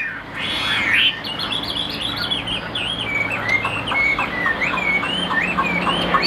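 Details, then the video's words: Chinese hwamei kept in a cage sings a quick series of looping whistled notes, repeated in short bursts, over a low steady background hum. "Tốc độ mỏ quá ok, đầu mặt đẹp chất giọng cực kỳ hay | Họat Họa Mi"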